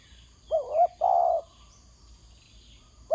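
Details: Spotted dove calling from the ground: a low, soft two-part coo with a quick rising lift, then a longer, steady hooting note. A further call begins at the very end over a quiet background.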